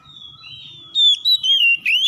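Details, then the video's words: Morning exchange between oriental magpie-robins answering one another, a harsh lure song. A thin sustained whistle wavers, then strong, clear whistled phrases slide and break into quick, twisting high notes, over soft low background noise. "PANCINGAN KACER PAGI HARI SALING SAUT SAUTAN KASAR"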